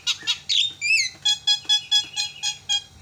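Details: Javan myna calling to provoke other mynas: harsh rasping squawks, then a rhythmic series of about eight loud nasal notes spaced roughly a quarter second apart.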